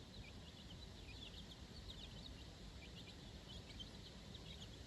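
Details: Four-day-old chicks with their mother on fresh grass for the first time; softer, scattered high peeps, short and falling, partly buried under a heavier low rumbling noise.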